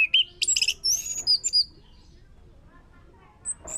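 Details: Orange-headed thrush song used as a lure to make another bird sing: a quick burst of high, sharp chirps and short whistled notes in the first second and a half, then near silence with two faint high notes at the end.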